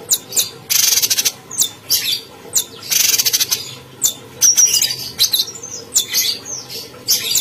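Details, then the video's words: Persistently singing caged cucak cungkok bulbul: loud, rasping broadband bursts interspersed with sharp high chirps and a short pure whistle, in a fast, uneven run of phrases. "Burung cucak cungkok Gacor"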